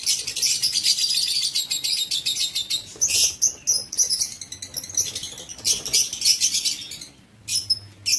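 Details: Dense, shrill twittering of aviary lovebirds, 19 September 2023, with overlapping high chirps, a brief lull, then a few sharp squeaks.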